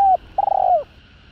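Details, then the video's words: Spotted dove call used to stir up rival males: a brief level hooting note, a pause, then a long pulsing coo that slides downward at its close, with a low constant background hum. "Tiếng Cu Gáy Giọng Hạp BổI Đủ Bài [ GÁY GỌI + THÚC + GÙ ] Kích Bổi Nhanh Nổi"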